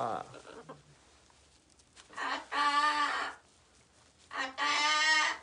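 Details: An escaped pet parrot waking its owner, who is sleeping late indoors, gives two long, harsh, raspy squawks about a second each, after a faint human voice in a quiet room.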